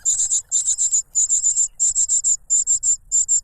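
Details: Cuckoo chick begging loudly from its foster parent, which silences it with a butterfly; piercing high chirps delivered in fast runs of three or four, separated by brief gaps.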